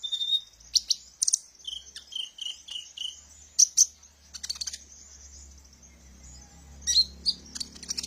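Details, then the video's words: Kolibri ninja sunbird singing, a recording used to lure and train caged birds: a row of short, even whistled notes repeated about twice a second, then sharp high chirps and twitters, with a faint low hum. "suara burung Kolibri ninja"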